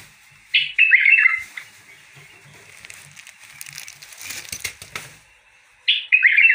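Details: A bulbul delivers two rich warbled phrases, one at the start and one at the end, separated by a stretch of rustling and faint tapping noises.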